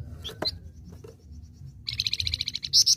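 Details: Flamboyan singing actively, a live bird: scattered thin chips and a short rising note give way to a rapid, even series of high buzzy pulses, ending in loud, bright whistled notes.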